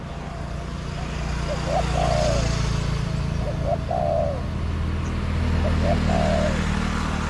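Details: Wild spotted dove in a garden calling back to a decoy; three low cooing phrases spaced about two seconds apart, each two quick short notes and a drawn-out rolling coo, with steady traffic rumble beneath.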